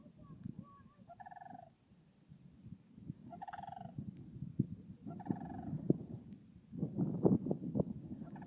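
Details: Sandhill cranes heard in spring at Swan Lake, Yellowstone, April 2016: short rolling, rattled calls at intervals of about two seconds, partly masked by heavy low rumbling and clattering noise.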